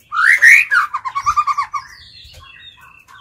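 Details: Decoy White-rumped shama singing to call in and challenge wild birds: a loud, rich swooping phrase, then about eight quick repeated notes, fading into soft, thin high whistles.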